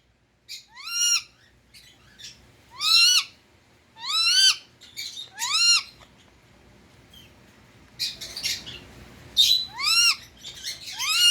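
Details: Indian ring-necked parrot kept as a pet, giving loud harsh rising screeches with stacked harmonics, spaced about a second or two apart, with a short rapid burst near the end.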